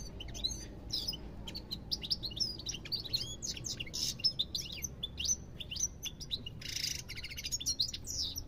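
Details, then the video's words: European goldfinch song: a dense, fast twittering stream of high chirps, trills and short buzzy notes with bright liquid whistles, continuous throughout over a low background hum. "ربع ساعة من تغريد طائر الحسون"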